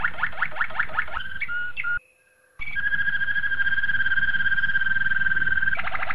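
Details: Malinois Waterslager canary singing a training song for young canaries: quick repeated notes, a short varied phrase, a brief pause, then a long even rolling trill ending in rapid pulsed notes.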